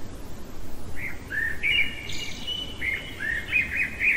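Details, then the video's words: Common blackbird singing at night, a rich flowing phrase of several rising and falling fluty whistles run together, ending in quick twittering notes; low background rumble throughout. "Merle chantant au cœur de la nuit"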